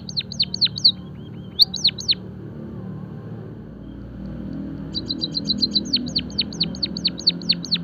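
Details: Java sparrow song for training and stimulation: bursts of descending whistled notes, a quieter gap, then a fast series of repeated high clicks and falling sweeps, with a low rumbling background.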